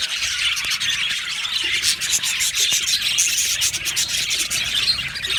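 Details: Aviary flock of happy budgerigars keeps up a busy, high-pitched chattering, many birds warbling and squeaking at once with quick clicky notes and scattered brighter peeps.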